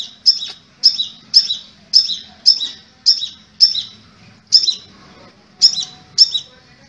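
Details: Song of a crimson sunbird (kolibri merah, sepah raja): a regular series of bright, piercing high notes, about two per second, each with a brief downward tail, with one short pause midway.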